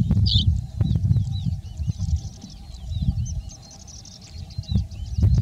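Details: Male ashy-crowned sparrow-lark calling while it feeds on seeds from small bushes: a series of short, high, thin downslurred chirps, with one louder burst near the start, over heavy low rumbling wind or handling noise.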